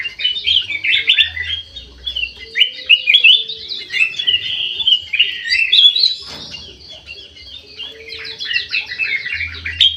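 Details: Caged golden bulbul in an Indonesian aviary, singing actively: continuous chattering song of quick chirps and whistled slurs, briefly pausing near the sixth second, then resuming in rapid bursts.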